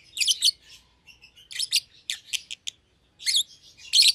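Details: Young pair of lovebirds, a euwing green opaline and a red-eyed albino, kept together in a cage for one pair: sharp high chirps in short doubled bursts, separated by pauses and soft twittering.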